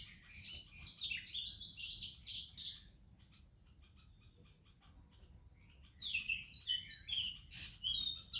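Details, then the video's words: Morning song of the Oriental magpie-robin among other Indian birds: busy warbled whistles, a lull of about three seconds with a high steady hum, then bright chirping phrases resume. "30 Minutes a ROBIN Chirping in the Morning"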